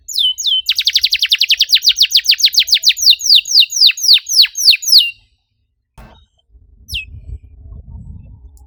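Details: Canary song with tight, rapid-fire delivery, meant to get silent canaries singing: a few whistles, then a long fast series of bright, down-slurred notes that slows toward the end. After a pause come one more note and low background rumbling.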